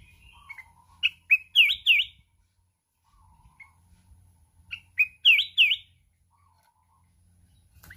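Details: Mountain red-whiskered bulbul contest singing with the wild kít bổi voice, wings flapping continuously. Two matching phrases about four seconds apart, quick chirps building into loud, looping whistled notes, with low fluttering and soft background noise.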